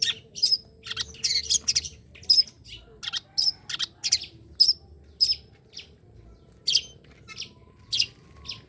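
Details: Long-tailed shrike uttering sharp, scratchy high notes and short harsh bursts, irregularly spaced about every half second to second, with faint low hum behind.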